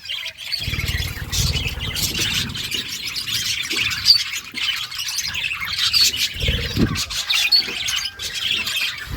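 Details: Budgerigars in an outdoor forest-side aviary twitter and squeak in a steady high chatter, several short clear whistled notes standing out, over intermittent low rumbling.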